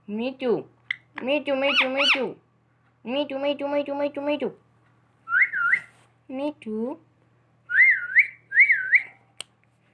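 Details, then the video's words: Pet talking parrot giving rasping, buzzy, harmonic vocal bursts, then wavering human-like whistles repeated three times near the end. "मनुष्य जैसी सीटी बजाने वाला मिट्ठू |Parrot whistles|"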